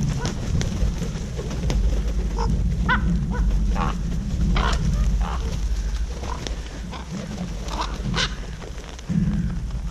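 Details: Common ravens giving food-associated 'haa' calls that recruit other ravens to a foraging site, at a boar's meal. Several hoarse, harmonic calls break out at irregular intervals over a constant low rumble and crackling background.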